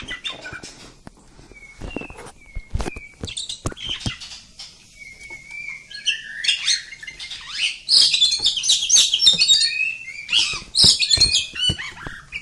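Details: Long continuous song of an oriental magpie-robin of the village type: sparse clicks and short slurred whistles at first, then a dense burst of rich warbled phrases and trills in the second half.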